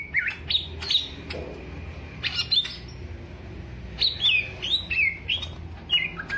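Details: Caged greater green leafbird from Alas Purwo, Banyuwangi, tested for mental strength, giving bursts of loud slurred whistles that rise and fall, separated by short gaps, with faint low background hum.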